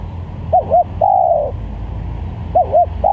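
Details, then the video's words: Spotted dove call for luring doves and for song training: a pair of short rounded coos and then a long, steady coo that sinks at the end, with the next phrase beginning straight after. A low hum runs underneath. "Pikat Tekukur||Untuk Masteran"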